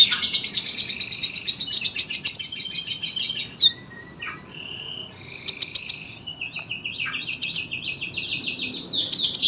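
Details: Tame sunbird in long, dense, lively song, recorded as a tutor for young birds: fast high twittering and thin whistled notes in bursts, with a short pause midway before sharp clicking trills resume.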